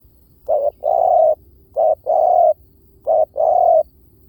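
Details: Spotted dove decoy call used to lure birds: three low, mellow coo phrases, each a short note followed by a longer drawn-out coo, repeating about every 1.3 seconds against a quiet background.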